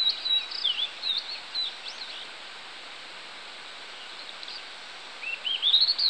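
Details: Blue-and-white flycatcher song recorded 16 July 2016, with bright high whistles and quick slurs opening the passage, a quiet gap, then a rising series of sweet whistled notes climbing to a sharp ending, against constant hiss.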